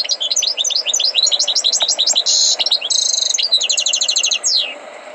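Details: Goldfinch trained to sing, delivering a rapid, high chattering song with tinkling notes, short buzzy rattles and a final falling sweep, over a constant low hum.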